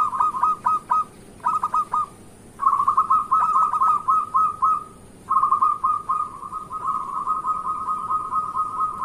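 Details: Local zebra dove singing a lively morning song meant to lure and stir other zebra doves into singing: quick staccato cooing notes run together into rolling trilled phrases, repeated in bursts with short pauses, then one long continuous run.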